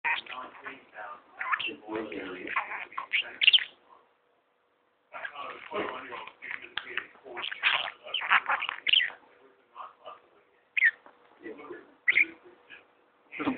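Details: A male pet budgerigar in constant talkative mood chatters in a rapid, buzzy voice, repeating learned human words and swear words such as "bastard" and "budgie" between soft warbles.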